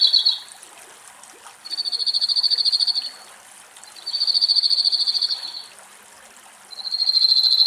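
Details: In Greek woodland, a cirl bunting gives rapid rattling trills held on a single high pitch while a male and a likely young bird bathe to cool off. Four phrases about one to two seconds long are separated by short quiet gaps.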